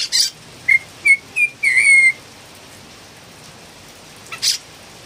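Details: Philippine bulbul singing, called really noisy: a scratchy burst, then three short rising whistles and a longer slurred one, with a final harsh note after a pause.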